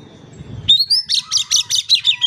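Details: Energetic Oriental magpie-robin song played to prompt silent birds to sing: after low background rumble, an upward-sliding whistle leads into a rhythmic series of bright, repeated notes about every fifth of a second.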